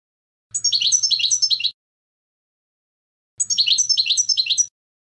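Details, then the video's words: European goldfinch song in a good-quality recording: two separate bursts of bright, quick twittering, each just over a second long, made of jumbled high chirps and trills, with a faint low hum beneath and quiet gaps between. "CHANT DU CHARDONNERET"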